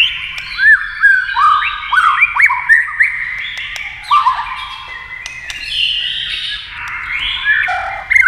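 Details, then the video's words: Flicking its tail, a white-rumped shama competes in song with a TV. It gives quick looping whistled notes repeated in a fast series, then longer smooth whistles shifting in pitch. "kích chòe lửa hót đấu với tivi cực căng lửa"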